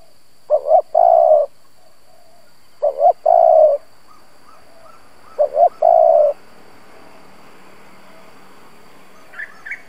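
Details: Spotted dove used as a lure bird to provoke rival doves: a two-note cooing phrase, two short rising notes then a long sustained coo, repeated about every two and a half seconds, three phrases, with faint chirps near the end.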